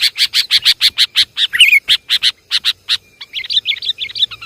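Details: Sooty-headed bulbul, Javanese kutilang lure call: a quick series of sharp clipped chirps about five per second, a short warbled burst, then a looser run of bright twittering notes.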